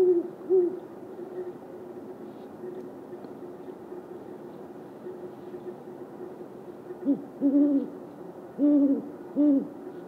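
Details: Male and female great horned owls calling back and forth, contact or territorial hoots: deep, soft hoots, a pair of notes at the start, then a run of four in the last three seconds, over a steady low hum.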